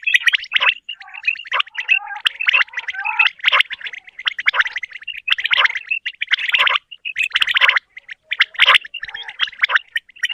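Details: Morning calls of quails, known locally as batair and used for hunting: busy overlapping chirps and gurgled trills repeated roughly once a second, several birds seeming to call together over a quiet background.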